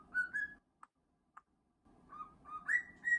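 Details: Indoor pet cockatiel being scratched gives whistled song phrases: smooth held whistles, a pause broken by two soft clicks, then rising whistled notes resume.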